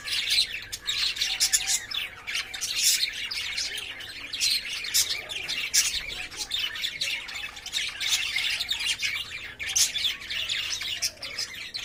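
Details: Lovebirds in a cage, courting and playing, keep up a dense, continuous stream of shrill chirps and squawks overlapping throughout, with no clear pauses.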